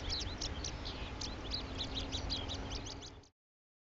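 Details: A male Oriental Skylark (Alauda gulgula) singing from a perch at Petchaburi, Thailand, pours out a fast, unbroken stream of high, varied chirps and twitters over a steady low rumble of wind.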